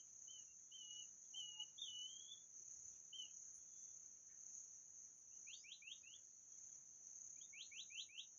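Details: White-rumped shama song played as a decoy lure: clear whistled notes and slurred warbled phrases, then two quick runs of four or five rising sweeps, all set against a loud, steady, high-pitched insect drone throughout.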